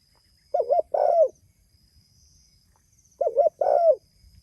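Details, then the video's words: Two phrases from a spotted dove calling its fellows: a brief double coo then a longer, falling mellow coo, with a quiet pause between; faint high-pitched hum in the background. "Suara Burung Tekukur Gacor Memanggil Temanya"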